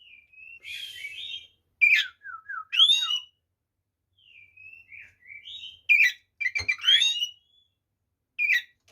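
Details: White-rumped shama song intended to provoke rival shamas: short whistled phrases, stepping down-note series and sharp rising sweeps, delivered in spaced bursts with brief silences.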